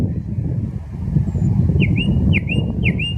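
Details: Common nightingale singing in the park on the Smolenka in Saint Petersburg, Russia: three clear slurred whistled notes late in the phrase, over a heavy low rumble of city traffic.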